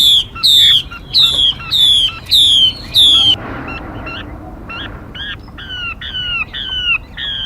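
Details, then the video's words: Female Mi used as a trapping decoy and for voice training: five loud, ringing, downward-sliding whistles in quick succession, a pause, then softer repeated falling notes. "Tiếng Mi Mái. Tiếng chim kích bổi, kích trống, luyện giọng bổi, bẫy đỉnh nhất hay nhất"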